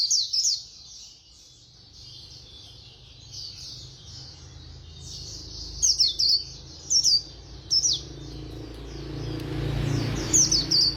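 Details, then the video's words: White-eye of the fast-singing Khuyên Líu style, heard in scattered short high twittering phrases with gaps of faint warbling between, and a rise of broadband noise near the end. "Khuyên Líu Hay _ Mau Mỏ _Tốc Độ _Tiếng chim Khuyên Líu"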